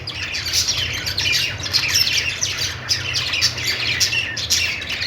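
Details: Budgerigar happy chirping: steady, tumbling warble of many short high notes, fairly even in loudness throughout, with occasional sharper clicks and a soft low hum beneath.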